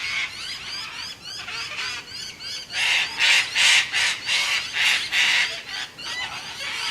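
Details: At dusk with a storm approaching and thunder rumbling, a flock of cockatoos screeches in trees at Lake Maraboon, Emerald, as they do every night: harsh, raspy, overlapping squawks, a couple each second, softer at first, then swelling into loud grating bursts.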